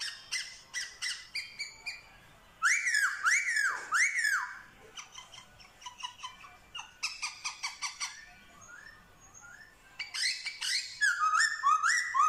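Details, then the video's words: Black-throated laughingthrush, a trained Vietnamese songbird mimicking dogs, cats and chickens, gives rapid bursts of short clicking notes about three per second, broken by loud looping whistled phrases that rise and fall. "Khướu bạc má hót giả giọng chó mèo gà như thật"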